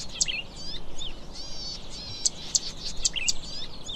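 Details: Zitting cisticola (Cisticola juncidis): a series of short, piercing high clicks spaced about a quarter to half second apart, mixed with rippling, wavering song from other birds in a lively chorus.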